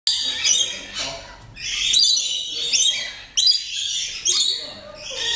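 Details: Rainbow lorikeet (Trichoglossus moluccanus) giving harsh, grating screeches in a run of short bursts, with brief gaps between them and several rasping notes packed closely together.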